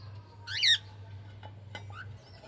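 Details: Female cockatiel singing for a male cockatiel: one loud harmonic-rich squawking note with stacked bands near half a second, then faint short chirps and a brief rising whistle over low steady hum.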